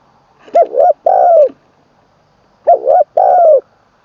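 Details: Trained decoy spotted dove from Thailand's Isan region, third training session, singing the ขันลงกุกวัย style with full middle note: two loud phrases of two quick hoots and a drawn-out falling coo, in a quiet background.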